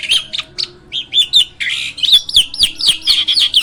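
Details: Hybrid myna in a cage, used to teach other birds to sing, produces a quick string of chirpy, slurred whistles with a short harsh rasp partway through.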